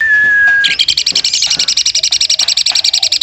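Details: Asian pied starling doing its woodpecker imitation: a long level whistle gives way to a steady machine-gun series of sharp pulses repeated several times a second, used as master material for contest birds.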